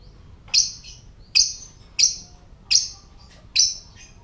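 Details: Lovebird giving the ngetik (typing) call, meant to lure other lovebirds to call, come and breed: five sharp, harsh high chirps spaced under a second apart, each a bright burst with a short trailing buzz, over quiet background hiss.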